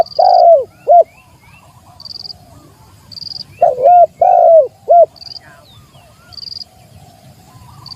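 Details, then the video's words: Spotted dove calling to challenge a rival: two loud, low, hollow three-note coo phrases, each with a long first note, a swooping second and a short clipped third. Regular high insect buzzes pulse throughout, with faint chirps from other birds. "suara burung tekukur manggil lawan"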